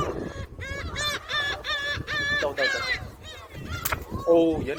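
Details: At Jebudo island, South Korea, a gull being fed repeats a harsh, nasal, two-part cry about twice a second in a steady series. A sharp knock follows, then a lower squeal near the end.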